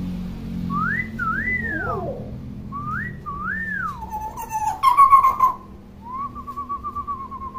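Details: Common hill myna, described as chatty and constantly vocal, kept as a tutor bird for young mynas. Clear whistled notes rise and fall in arcs, then a harsh broadband burst and a wavering trilled whistle, over a low background hum.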